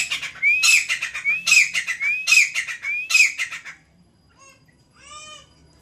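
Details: Grey francolin, locally called kamuju or teetar, repeating its strident call: rising whistled lead-ins followed by harsh clustered notes at a steady pace, then a softer separate chirp and a quiet trailing note.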